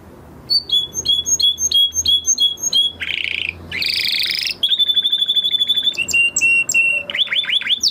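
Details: Male canary practising song after moulting: repeated twin-note chirps, two harsh buzzy bursts, a fast level trill, spaced whistled notes and quick falling sweeps at the end.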